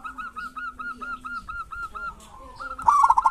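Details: Local zebra dove with kerot and bekur singing, used as a lure for doves that are hard to make sing. Steady evenly spaced coos lead into a sudden loud, rapid burst at the end.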